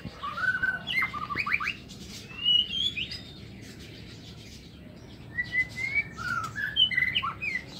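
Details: Morning song of a white-rumped shama kept in an aviary: short rising whistles and a fast stuttered series, a quiet gap, then further whistled phrases.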